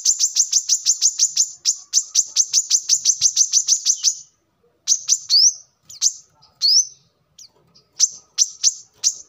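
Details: Brown-throated sunbird singing as a lure or song model: a long rapid train of sharp high chips for four seconds, a pause, then rising slurred whistles and scattered chips.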